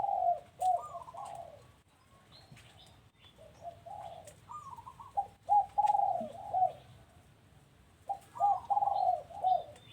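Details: Doves cooing at a home in close, rapid runs of mellow notes, several phrases overlapping as if more than one bird, with faint higher chirps of other birds.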